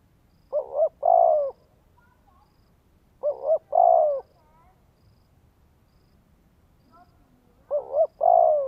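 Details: Vietnamese spotted dove (cu gáy) giving a stimulating coo meant to rouse a male. Three phrases recur roughly every 3.5 seconds, each two short hollow notes then a sustained mellow coo. A few faint chirps sound in the gaps.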